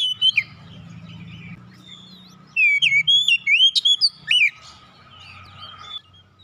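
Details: Oriental magpie-robin singing as a lure to get silent birds singing again: a quiet hum-filled opening, then a dense two-second volley of sharp, swooping whistled notes, fading back into soft background murmur.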